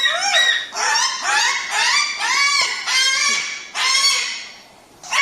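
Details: Loud, shrill crested cockatoo screeching: arched, nasal squawks repeated about twice a second in a steady series, with a brief pause before a final cry.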